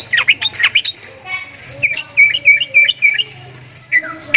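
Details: Strange sounds from a Javan myna: clusters of short, harsh chirps and rising whistles, broken by a quiet pause with a low hum, then more whistled notes.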